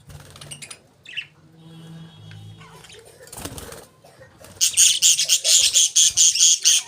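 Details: Budgerigar sounds start quiet and scattered with a few soft notes and a rustle, then become a loud, rhythmic run of buzzy high chirps pulsing about twice per second.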